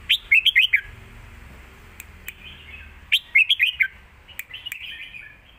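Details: Caged red-whiskered bulbuls in a singing duel, southern master-style song: two bursts of rapid, bright, warbling notes sweeping up and down, each about a second long and separated by quieter fragments and faint low background hum.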